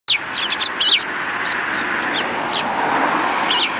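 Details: Several Eurasian tree sparrows on the front approach of a Tenmangu shrine, 12 December 2019: short, high chirps, some in quick pairs, scattered over nearly four seconds against a steady broad hiss of background noise.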